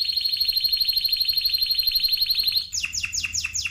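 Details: Spanish timbrado canary singing a fast, even trill of rapid high notes for over two seconds, then shifting to a series of loud downward-sweeping whistled notes repeated about four times a second.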